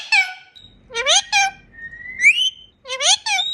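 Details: Parrot talking, saying "mian mithu": several clipped, speech-like syllables with bright, squeaky overtones, broken by a smooth rising whistle, then another run of talking syllables.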